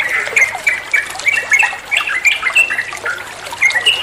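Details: A bulbul called trucuan sings as a training master: quick sharp chirps and slurred whistles repeated in bursts about every half second, with water trickling in the background.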